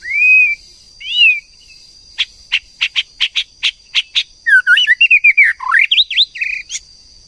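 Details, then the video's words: White-rumped shama, female, calling to spur a male to sing. Two rising whistles open, then a steady series of crisp, clicking chips, then a rapid jumble of twisting, warbling whistled notes. "TIẾNG CHOÈ LỬA MÁI TRỐNG/CHOÈ LỬA MÁI TẠC KÍCH TRỐNG/murai betina fighter,murai jatan auto ngamuk"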